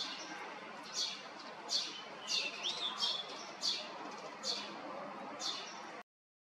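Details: Male blue rock thrush giving a morning love call while brushing away insects, Yanagishima coast, Chigasaki, Kanagawa, Japan, 17 May 2023: short, sharp high calls about one a second, with a brief warbled phrase midway, over steady hiss.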